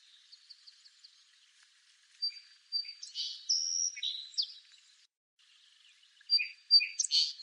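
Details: Song sparrow singing: a soft run of faint notes, then a loud burst of clear whistles, a buzzy note and sharp chips, a short pause, and another bright phrase of quick chips and whistles.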